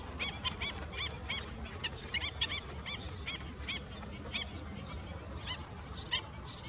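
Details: Juvenile black-winged stilt giving short, sharp, high notes in quick irregular series, over steady low rumbling background noise.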